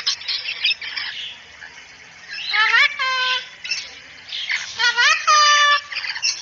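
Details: Talking cockatoo saying "assalamualaikum" in a bird-training recording. Hoarse, noisy squawks lead into two loud bursts of rising, richly harmonic syllables sounding like imitated speech, separated by a short quiet gap.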